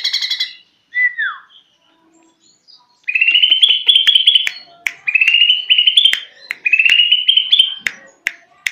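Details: A greater green leafbird practising its song gives a few short whistles, then three long, even, high warbled phrases, each about a second long and slightly rising, separated by brief pauses and sharp clicks.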